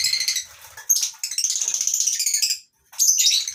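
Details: Lovebirds in a colony aviary on a breeding farm in the morning, with mixed species such as yellow-collared and Fischer's lovebirds. Shrill, high chattering calls come in dense bursts, with a short gap near the end and brief wing flutters.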